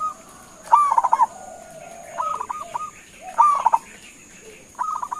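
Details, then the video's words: Local zebra dove (perkutut lokal) cooing: rapid, rolling staccato coos in short bursts about every 1.3 seconds, with a thin, steady, high whine behind. "Suara Panggilan Perkutut LOKAL Gacor sekali dengar langsung NYAUTIN"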